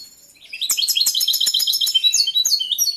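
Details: In breeding condition, a caged male European goldfinch sings after a soft start: a fast, continuous cascade of liquid chirps, trills and tinkling notes, varied and energetic throughout.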